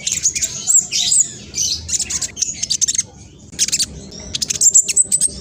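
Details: Black sunbird singing energetically and fast: jumbled, very high chattering phrases, short bursts separated by brief gaps, ending with bright whistled notes.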